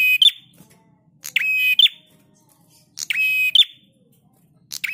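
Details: Prinia song used as a master recording for training cage birds: a strident, buzzy, harmonic-rich phrase with sharp high accents, repeated about every 1.7 seconds against a quiet background.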